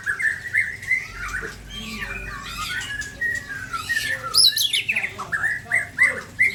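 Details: Aceh white-rumped shama of the Ujong Pancu type showing off its filler phrases: clear whistles mixed with harsh squawky notes and quick sharp chips, delivered in uneven bursts across the passage.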